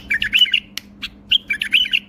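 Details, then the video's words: A bulbul sings two brief warbled phrases of bright, looping whistles, separated by a few sharp clicks, over a faint low hum. "بلبل يغرد تغريد برواز جناح"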